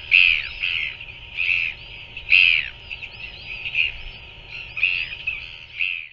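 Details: Royal albatross chick taking food from a parent, New Zealand, evening of 7 February 2024: squealing, slightly buzzy calls come in irregular bursts roughly every second, with quieter chattering between them.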